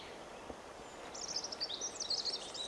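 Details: Krüper's Nuthatch on Lesvos gives a quick, high run of bright, slightly nasal notes lasting under two seconds, over a steady outdoor hiss.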